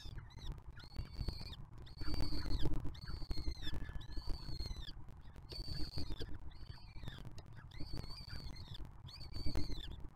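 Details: Breeding-season peregrine falcons in a nest box on the Museo de América, a juvenile from brood 2023 feeding siblings from brood 2024; loud, regular wailing arched calls roughly every second, with a deep background rumble and occasional knocks.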